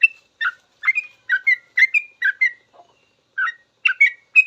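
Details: Sooty-headed bulbul singing long 'ropel' song, used to teach caged birds: paired and single bubbly whistled notes, a soft low note and short pause near the middle, then more rising-falling chirps.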